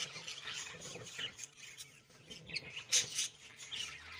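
Budgerigars chatter in quick, high, scratchy chirps and warbles, a happy, contented sound.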